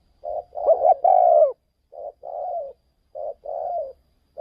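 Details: Spotted dove in Thailand, a decoy bird used to lure wild doves away from home; soft, hollow cooing, one short note then a drawn-out falling coo, the phrase given three times with short gaps.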